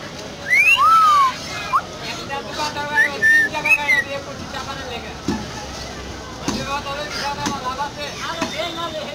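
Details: Myna whistling: a burst of clear whistles, one sharply rising, one long note falling then dropping, followed by short rising and falling whistles, then several quieter clicks and knocks over a steady background hiss.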